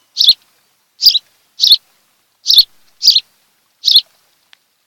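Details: Osprey at a Kent Island, Maryland nest, camera recording from a July 2018 afternoon: six sharp, squeaky high chirps spaced well apart, with quiet between them.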